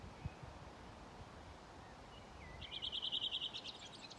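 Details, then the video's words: A Redwing sings its dialect song on 5 June 2023 along the Ljustorpsån at a gravel pit in Timrå: a brief slurred whistle, then about ten thin, bright repeated notes over a steady outdoor rumble. Thrush chatter is also present. "Rödvingetrast spel/sång"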